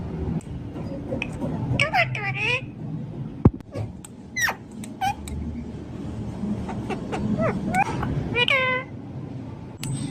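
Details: Parrot described as talking non stop, giving several sharp, rising and falling whistled squawks and short chattering notes spaced irregularly, with a low background hum and occasional clicks.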